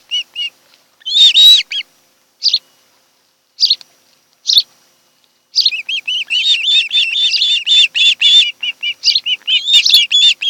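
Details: Osprey pair at their nest on Kent Island, Maryland, in late July: short high chirps, then a long run of rapid, regularly repeated whistled yelps that rise and fall, about four per second.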